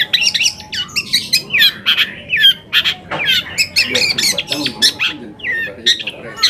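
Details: Long-tailed shrike song used as a lure to make other shrikes answer and get agitated: a dense run of harsh squawks, buzzy notes and short high chirps, repeated rapidly with varied, scratchy phrasing, with a faint steady hum underneath.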